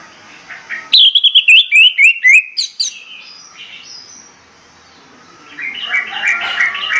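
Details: Orange-headed thrush singing in the morning to stir birds into song: a rapid string of loud, clear, slurred whistles tumbling downward, a quieter pause, then a burst of busy, scratchy twittering at the end.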